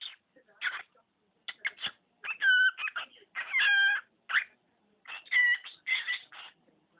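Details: Household budgerigar imitating spoken words and sneezing, producing a stream of clipped, buzzy syllables with a few held, tonal speech-like sounds in between, fairly loud and continuous over seven seconds.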